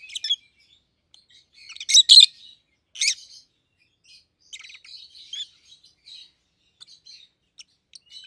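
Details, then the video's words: Rosy-faced lovebird pair kept as pets, yellow and green with red heads, making a few loud shrill squeaks followed by scattered soft high twitters and short chirps amid quiet gaps. "Lovebird's Sounds - Lemon & Melon - Rosy-faced Lovebird"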